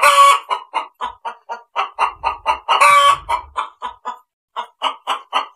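A hen clucks in a steady run of short, nasal notes, roughly three per second, with a couple of louder, drawn-out squawks mixed in.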